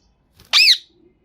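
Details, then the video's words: Pakistani green talking parrot, known for speaking Urdu, gives one short, loud, rasping squawk that rises and falls, in an otherwise quiet indoor setting. "Pakistani Green Talking Parrot Speaking Urdu"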